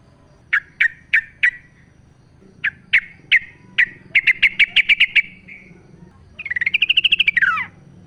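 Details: Yellow-vented bulbul singing in natural surroundings as a lure for captive birds: spaced sharp chirps accelerating into a rapid rattling series, ending in a long, buzzy, arching trill.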